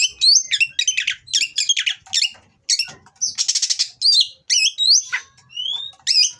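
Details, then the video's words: Oriental magpie-robin in breeding condition, bred in captivity, pouring out rough, varied song to provoke rivals: quick scratchy notes, a buzzy rattle in the middle, then clear rising and falling whistles. "Burung Kacer Kawin Bongkar Materi Kasar Bikin Lawan Langsung Emosi"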